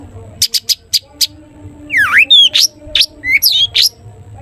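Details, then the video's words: Long-tailed shrike in a lively 'toet toet' song style, used to prompt other shrikes to sing: five sharp, evenly spaced high notes, then swooping whistles and a deep downward-upward slur, with quick high chirps and a low background hum. "cendet gacor TOET TOET buat pancingan cendet agar bunyi jadikan burung cendet gacor NYAUT"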